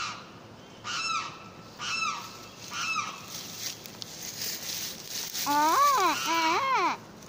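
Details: Limpkin giving mournful, wavering wails: three fainter drawn-out cries in the first seconds, then two louder, rising-and-falling harmonic screams near the end, over steady background hiss.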